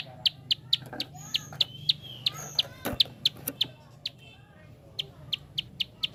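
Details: Prinia fast click call, used to prompt other birds to sing: sharp ticks in uneven bursts mixed with other chirps and whistles, a dull knock in the middle, then steadier clicking toward the end.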